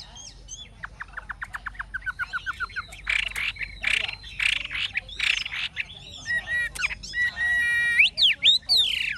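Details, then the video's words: Old wild-caught Chinese hwamei, caged, with a true forest-style voice, sings varied song: a rapid series of quick piping notes, then harsh chattering bursts, then sweeping whistled slurs and a long descending note. "Họa mi già rừng chuẩn giọng rừng hay đuôi lá vả"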